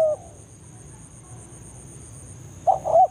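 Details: Spotted dove banggo lure call from forest, meant to attract a rival dove. Mostly quiet with a faint hum, then a brief low double coo near the end.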